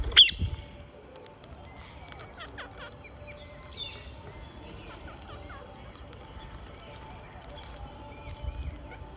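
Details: An Indian ringneck (rose-ringed parakeet) on a feeding day gives one sharp, high screech, then faint scattered chirps and squeaks over a low background hum, with soft thumps at the start and end.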